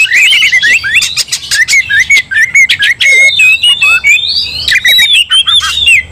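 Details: Oriental magpie-robin in a sudden aggressive outburst, its fighting song prompting other magpie-robins to join: fast chains of clear whistles and sharp chattering bursts, loud and continuous with short pauses.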